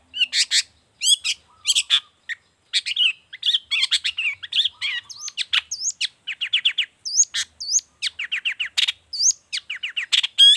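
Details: Long-tailed shrike in full, active song, used as a tutor model and lure for other shrikes: a rapid, varied run of loud, sharp chirps, harsh notes and rising whistled slurs, delivered in dense bursts with short gaps.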